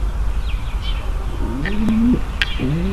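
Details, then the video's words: Female pigeon's mating call, meant to ready the male: after a quiet start, two low, rising coos arrive in the second half, with faint chirps above. "صوت نداء انثى الحمام للتزاوج - صوت لتجهيز ذكر الحمام للتزاوج"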